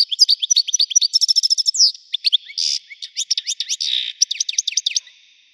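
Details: European goldfinch, Widani type, with a striking strong voice. A continuous lively song of fast tinkling chirps, short trills and a few harsh buzzy notes runs for over five seconds.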